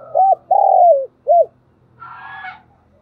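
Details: Calling phrase from a decoy spotted dove used to provoke wild doves: a short arched coo, a long descending coo and a final arched note, then a brief higher, harsher sound.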